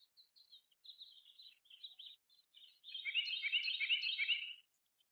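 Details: A kingfisher in March 2023 gives thin, high, slightly falling whistled notes, then a shrill, dense rattling trill lasting almost two seconds. No other clear sounds.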